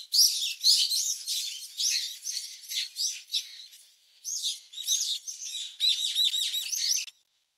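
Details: Brown-eared bulbul chicks in the nest being fed by a parent, recorded close up: an almost unbroken stream of loud, piercing, scratchy chirps, briefly easing before a fresh frantic burst, then sudden quiet.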